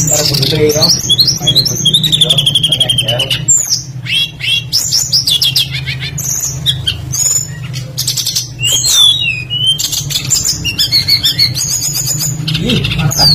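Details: Lure recording of a tledekan in full active song with mimicked phrases. Busy high whistles, trills and sharp clicks come in rapid phrases separated by brief pauses, over a low steady hum.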